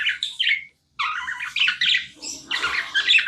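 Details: Short burst of pet budgie chirping: loud harsh squawky warbles, a silent gap under a second long, then more dense chattering notes with faint low background noise.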